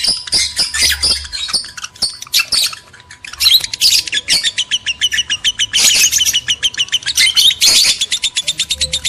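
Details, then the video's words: Lovebirds, male and female, in a breeding-stimulation recording: dense, shrill, high-pitched chattering with rapid repeated chirps and squeaky notes in bursts, almost continuous, with a faint steady low hum behind. "PANCINGAN JEBOL BIRAHI BUNYI, BIKIN EMOSI LOVEBIRD JANTAN DAN BETINA"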